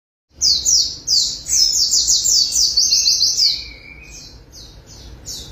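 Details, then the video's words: White-eye (Zosterops) training recording: a fast, high, twittering run of thin slurred notes, bursts repeating several times a second, briefly joined by a lower rising whistle. "Burung Pleci Langsung NGOTOT Ngalas Buka Paruh"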